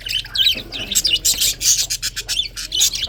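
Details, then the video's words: Several budgies chattering on a February morning: loud, rapid, scratchy chirps and squeaks packed closely, rising and falling in quick pulses for the whole stretch, with a faint low hum underneath. "February 24, 2024 Morning 🌄 chirping sounds ! best parrot 🦜 beautiful"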